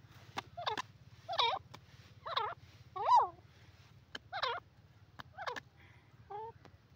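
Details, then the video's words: Dakhni teetar francolin calling cleanly and loudly. The short, twisting, ringing notes come in an uneven series, roughly every second, with faint clicks and a low background hum. "peasant bird awaz,saaf and onchi awaz dakhni teetar"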